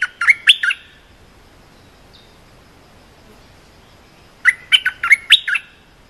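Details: Training song for young cream-vented bulbuls, a few clipped, throaty chirps, a long quiet gap, then a fuller phrase of rapid bubbling notes stepping up and down.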